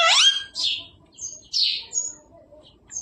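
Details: Mimicking pet parrot gives a quick rising speech-like syllable then a hoarse hissy burst, followed by softer scattered chirps and a quiet gap while family voices offer it roti.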